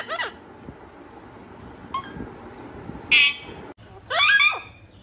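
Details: Parrot giving a sparse series of brief, harsh, buzzy squawks spaced a second or so apart, with quiet gaps between them.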